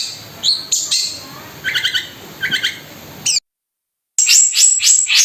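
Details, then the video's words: Gacor long-tailed shrike song with kasaran and tembakan roll speed fills: scattered sharp chirps and paired buzzy notes, a brief silence, then a fast run of high repeated whistles. "BURUNG CENDET GACOR MEWAH ISIAN KASARAN DAN TEMBAKAN ROLL SPEED"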